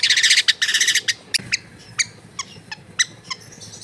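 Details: Long-tailed shrike recorded at home amid dense housing as singing therapy: a burst of harsh grating chatter in the first second, then scattered sharp clicks and chips spaced irregularly.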